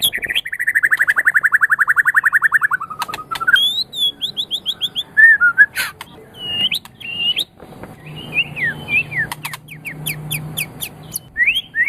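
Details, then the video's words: Caged white-rumped shama song used as a master recording for training pet songbirds: a long rapid trill of repeated notes, then varied whistles, sweeping slurs and chattering phrases in quick succession. "Suara Burung Murai Batu"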